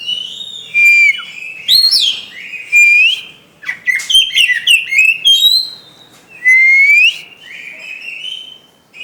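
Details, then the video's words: Kacer, the white-rumped shama, in a cage delivering rich varied song: clear whistled notes, rising and falling slurs, quick chattering bursts and a bright upswept whistle near the end, phrases separated by short quiet gaps. "Burung Kacer"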